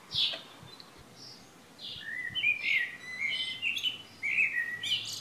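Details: Chirping and twittering birdsong at Šilo, Krk island, Croatia, on a morning of early June 2015, with a sharp note at the start and then a run of overlapping warbled phrases.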